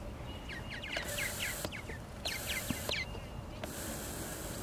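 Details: Purple martins at their nesting gourds at Lake Mackintosh, Gibsonville, North Carolina, recorded on a Canon Powershot SX-40 HS: quick chirps, each bending downward, in loose bursts, broken by short broadband rushes of noise.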